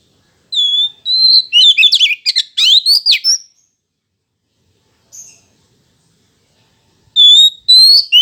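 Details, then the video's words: Gacor (in full song) Oriental magpie-robin, meant to get males answering fast: a rich burst of varied whistles and rapid chattering trills. A pause and one brief faint note follow, then the whistled phrase starts again. "Suara Siul Kacer Pancingan & Kicau Kacer Gacor"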